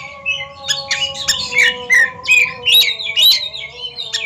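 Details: Oriental magpie-robins kept in cages, singing against each other in a competition duel: quick bursts of buzzy and whistled notes, some slurred upward, repeated about every half second, with a steady background hum.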